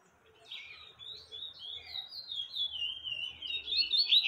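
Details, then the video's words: Double-collared seedeater song played to teach young birds, in the tui tui style: a fast, continuous, high twittering warble that rises and falls, growing louder toward the end. "Papa capim tui tui pra Ensinar filhotes"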